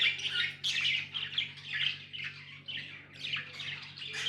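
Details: Budgies give rapid rhythmic chirps and scratchy squawks, about one burst per second, with a constant low hum underneath.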